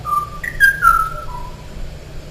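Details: Last male Kauai O'o singing, heard as a recording played back to an indoor audience: a short run of clear whistled notes stepping up, then sliding down in pitch, over a low hum of room noise.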